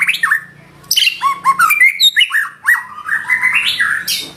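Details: White-rumped shama, gacor, with nembak isian song: continuous tumbling notes, buzzy rattles and upward-flicking whistles delivered rapidly for several seconds, scratchy accents breaking in at the end.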